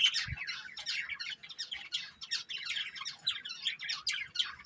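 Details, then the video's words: Breeding pair of pet budgerigars chattering continuously, dense buzzy chirps and warbled twitters packed closely together without pause, with one low thump near the start. "Beautiful Budgies Chirping Sounds | Love Birds Breeding Pair"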